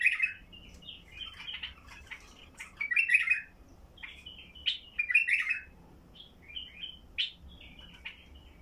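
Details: Heavy-throated song of a Basra bulbul, meant to set silent bulbuls singing: almost continuous chattering, bubbling phrases with rich slurred notes and brief pauses.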